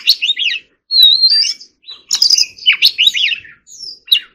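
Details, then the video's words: Forest-voice song from an Oriental magpie-robin during singing practice: a long rising whistle, then energetic clusters of chirps and slurred notes separated by short pauses, ending on a clear descending whistle. "choè than hót giọng rừng"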